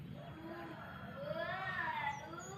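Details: A rooster crowing in a village in the morning: one drawn-out, harmonic-rich call that rises and then slides down over about two seconds, above a steady low background rumble.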